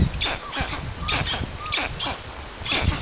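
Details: Black storks (Ciconia nigra) at a forest nest in Puszcza Notecka, Poland, on 13 June 2019 at 14:23, a strange adult visiting the storklets. A nest camera catches rasping, breathy bursts repeated about every half second, with a few short whistled tones and low rumbling noise.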